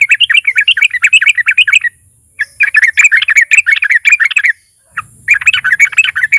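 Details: Sooty-headed bulbul song meant to provoke other bulbuls to sing: dense, bubbly chatter of fast notes in three runs separated by short pauses.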